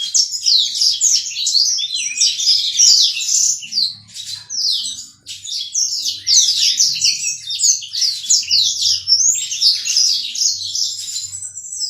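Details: Caged Black-throated canary, at least eight months old, kept within sight of a mate during pairing. It sings a fast, continuous high twittering warble of chirps and trills, with a brief lull near five seconds, in a small room.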